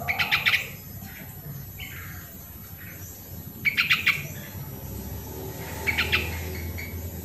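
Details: Sooty-headed bulbul, original sound used to stimulate lazy singers: three short chattering bursts of quick pulsed notes, separated by long quiet gaps, plus a faint softer note in between.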